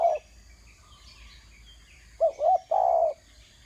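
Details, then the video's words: Spotted dove calling while on the ground: a clipped note, a pause, then two quick hollow coos followed by a longer drawn-out coo, over a faint steady high hum. "Terkukur kg bunyi atas tanah"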